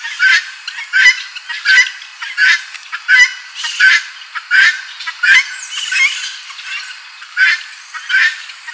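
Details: Loud helmeted guineafowl chorus of harsh, grating cries in a steady rhythm, about a dozen bursts repeated every 0.7 seconds, with fainter overlapping calls.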